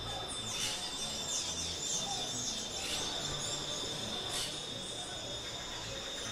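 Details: Brown-throated parakeets in Caldas, Colombia, give a few harsh, scratchy screeches, about one every two seconds, over a steady high insect whine.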